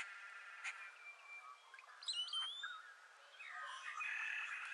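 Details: Blue-gray gnatcatcher singing while preening at Montrose Point, Chicago: a mix of thin high whistles, quick chirps and short slurred notes, with a louder warbled stretch toward the end.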